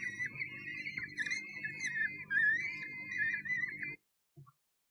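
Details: A common kestrel calls at a Sussex nest box, 1 June 2011: about four seconds of tremulous, slightly rising and falling whining notes over hum, ending abruptly in near silence with one faint knock.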